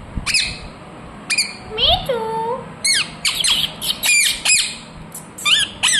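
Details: Pet ringneck parrot, known as a talking bird, in its natural voice. Loud harsh squawks and screeches pour out irregularly, with a brief lower, voice-like warbling sound in between.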